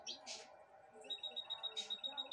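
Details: Pet goldfinch hybrid from 2022 eating broccoli from a hand, giving a quick run of evenly spaced high, thin chirps in a steady twitter, with a man speaking Spanish softly throughout.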